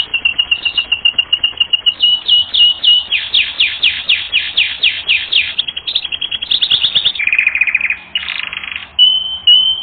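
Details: Continuous canary song from a training recording: fast, evenly repeated high notes shifting through several tours, some sharply falling, then a lower buzzy trill and a brief steady whistle at the end.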